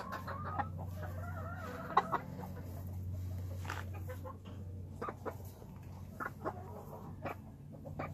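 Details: A gamefowl brood hen with her son in a brood pen gives a few drawn-out, nasal calls, then scattered short, irregular clucks, over a steady low hum.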